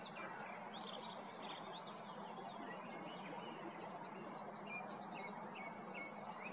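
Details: Corn bunting singing at Prečko, Zagreb, Croatia, on 20 April 2022: a few ticking notes that speed into a high, dry, jangling rattle like shaken keys, lasting about a second, over steady outdoor hiss and scattered chirps.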